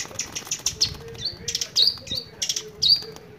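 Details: Long-tailed shrike, a bird that also somersaults, in full song; scratchy high chatter mixed with short thin whistled notes, with faint fluttering of wings.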